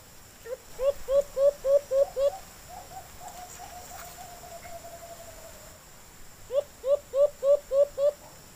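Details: Alimokon, the white-eared brown dove, wild and calling back to a caged decoy: two bursts of six quick rising hoots separated by a faint, low wavering murmur.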